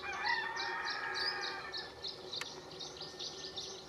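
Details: Atlantic canary in a strawberry tree at Valleseco, Gran Canaria, December 2022, giving a run of bright, high chirping notes about three per second, over a lower drawn-out crowing sound early on.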